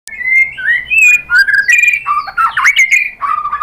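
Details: White-rumped shama lure song meant to provoke other shamas into answering and showing their repertoire; a loud, varied run of clear whistled phrases, sliding and warbling up and down without a break.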